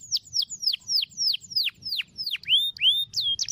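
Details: Canary long roll song used as a training song for other birds: a rapid series of loud, high whistled notes sweeping steeply downward, about three per second, ending in upward-curving whistles, with a faint low rumble beneath.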